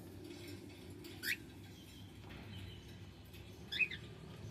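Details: Two brief, separate chirps from a male cockatiel, roughly two and a half seconds apart, over steady low background noise.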